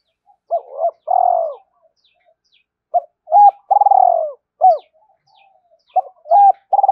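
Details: Spotted dove repeating its 'hai hậu' calling phrase to excite wild doves: quick stuttered notes, then a long pulsed coo sliding down, with arched hoots after it. The phrase repeats about every three seconds in a quiet setting.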